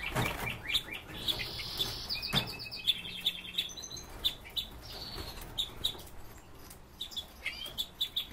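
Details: Captive, privately kept red-billed leiothrix give high, bright chirps and short whistled phrases, roughly two notes a second, with soft rustling and clicks behind.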